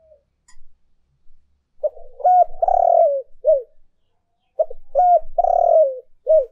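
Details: Spotted dove urging and calling coos used as a lure: two clear, low cooing phrases, each a few short hoots leading to a long, slightly falling coo and a final short note, separated by about two seconds of quiet.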